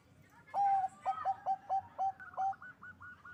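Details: Local zebra dove at a breeding farm in Bekasi, West Java, Indonesia, singing to raise mating drive: a series of about eight clipped, even coos, then a higher rapid trill from another bird.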